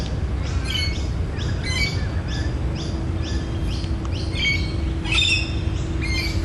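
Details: Adult Australian magpies carol in a rich, overlapping chorus of fluting, warbling notes that rise and fall in bursts, over a steady low rumble and faint hum. The carolling is a territorial call, recorded in December 2013 during the breeding season.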